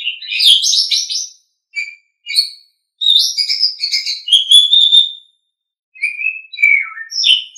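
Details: Asian pied starling masteran song for training songbirds. A dense chattering opening gives way to short whistles, then a longer run of clear whistled and buzzy notes. Downslurred whistles close it, with quiet gaps and no other sounds.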